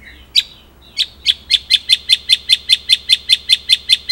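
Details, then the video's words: Singing White-rumped shama, 'ngerol nembak' material: after a few scattered notes, crisp high chips repeat steadily about five times a second. "Masteran Murai Gacor !! Materi Komplit Ngerol Nembak | Shama Bird Song"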